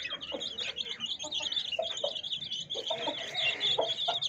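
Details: Many domestic chicks cheep together, a busy stream of high, quick peeps. Occasional lower soft clucks come from the hen.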